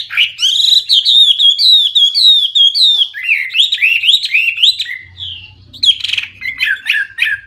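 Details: Hwamei (wambi) in full, active song packed with varied fill-in phrases, loud and clear: a fast, unbroken run of rich whistled and warbled notes sliding up and down for five seconds, then a short pause and sharper chipping notes.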